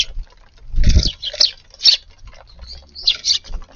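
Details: Eurasian tree sparrows feeding at lunchtime in a garden on a warm 10 February day: a few short, high chirps come in separate bursts. A low thump sounds near the start.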